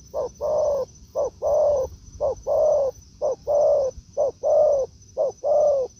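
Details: Spotted dove in the forest answering a decoy bird. Regular, mellow two-part coos, a short lead note then a longer sustained one, follow each other roughly every second, backed by a steady high whine.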